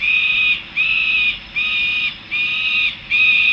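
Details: Young peregrine falcons returning to the nest in Harrisburg, USA: a loud harsh drawn-out whining call repeated five times, each note about half a second long with short gaps, fairly high and steady in pitch.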